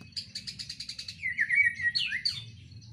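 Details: From a breeding cage, a white-rumped shama sings a full varied song: a quick pulsed series of high notes, a gliding warbled whistle, then sharp upward flourishes.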